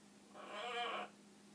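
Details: Pet macaw, a talking bird, over-dramatizing a stretch; a single drawn-out harmonic squawk or groan about two-thirds of a second long, rising then falling slightly, in a quiet room.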